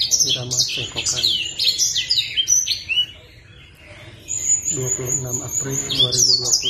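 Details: Kept sunbird, a blacksang master bird, singing vigorously: bursts of high, sharp twittering notes with quick rising and falling slurs, then a short lull before the rapid chatter resumes, over a faint low hum.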